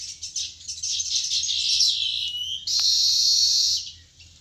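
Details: Sparrows at a nest give dense, high chirping and twittering that runs almost continuously, then swells into a louder, steadier burst of tweets near the end.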